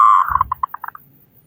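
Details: Zebra dove of local stock, singing loudly to draw other doves into song: a sustained hollow coo breaks into short clipped notes that space out and fade, with low rumbling behind.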